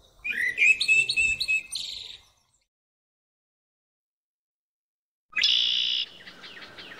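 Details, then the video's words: A Common blackbird (Turdus merula) sings a brief fluted phrase breaking into high, squeaky twittering; after a pause of about three seconds a second sharp, bright burst follows. "Cantec mierla neagra"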